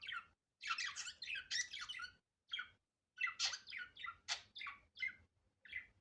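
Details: Budgerigar natural unedited sound: groups of fast scratchy chirps and squawks with short pauses, sharp high notes standing out, with faint low background hum.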